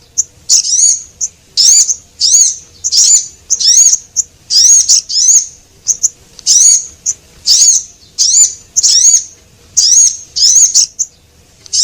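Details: Lure recording of male and female Javan munias: a steady run of high-pitched, slightly wavering chirps, with short clicks and brief pauses between them, repeated over about twelve seconds against a quiet background.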